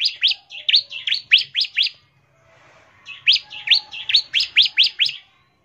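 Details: Bar-winged prinia singing in the rapid 'ngebren' style, played to lure prinias into singing: high, sharp chirped notes repeated quickly in two runs of about eight, separated by a brief pause.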